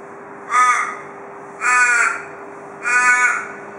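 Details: Three evenly spaced harsh caws, roughly one every 1.2 seconds, from an Australian raven at a porch in Perth, Australia, giving the "cock a doodle doo" call said to be typical of Perth ravens; low hum in the background.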